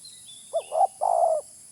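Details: Spotted dove call played as a bird-catching lure: a brief low coo, then a rising-falling coo and a longer drawn-out purring coo ending in a downward slur, with a steady high hiss behind.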